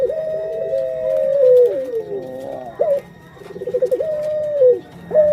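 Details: Female puter pelung dove preparing to lay eggs: long level coos that sag at the end, alternating with pulsing, stuttering notes, over a constant faint hum.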